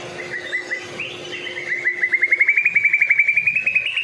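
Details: Medan white-rumped shama in full song, meant to lure other shamas: a long run of quick, repeated whistled notes slowly climbing in pitch and growing louder, over a faint steady hum.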